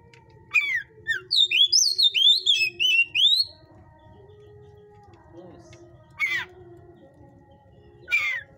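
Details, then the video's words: Oriental magpie-robin of the hot type, caged at a breeder's, delivers a fast sequence of sweet looping whistles for about three seconds, followed after a silence by two short harsh rasps. "Bunyi kacer tipe panas"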